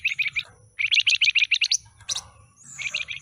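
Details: Stub-tailed pied fantail, a caged bird fresh from a trader's batch, pours out quick runs of bright, high, clipped notes in tight sequence, with a brief sharp click midway.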